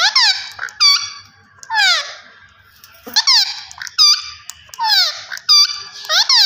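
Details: Green ringneck parrot talking: harsh, squawky speech-like phrases built from falling, harmonic-rich sweeps, delivered in short bursts with brief pauses, in a quiet indoor setting.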